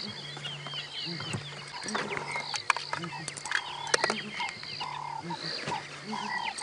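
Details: Southern Ground Hornbills calling unusually late in the morning on 19 February 2017, when they normally call at sunrise and sunset. Soft low booms repeat about every second amid a dense chorus of chirping, whistling birds and a low hum.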